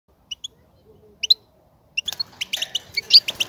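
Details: Goldfinch motivating chatter, used to prompt males to sing and mate: a few isolated high chirps at first, then from midway a quick run of bright twittering notes.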